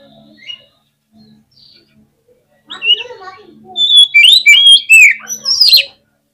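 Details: Fast, emotive oriental magpie-robin song for provoking other magpie-robins: quiet start, then a dense stream of loud, sweeping whistles and chattering notes repeated rapidly for about three seconds before stopping.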